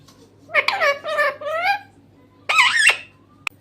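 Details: Green talking parrot utters speech-like phrases: three harmonic, wavering syllables, then a pause and a louder, higher screechy word, followed by a short click.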